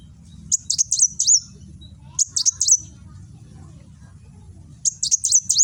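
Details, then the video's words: Sunbird kept in a cage in Gresik, East Java, 'nembak' song for training other cage birds: three short bursts of four to five sharp, very high chirps separated by pauses, over a steady low hum; phone recording. "Burung Kolibri Wulung nembak"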